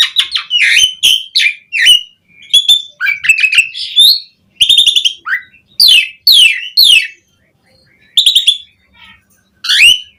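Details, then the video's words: Asian pied starling in energetic, varied song meant to draw other starlings into singing: clusters of sharp, downslurred squeaky notes and chips in bursts, separated by short pauses, with a longer silence near the end. "Suara JALAK SUREN Gacor MATERI Full Mewah Cocok Buat Pancingan Burung Jalak Biar Cepat Bongkar Isian"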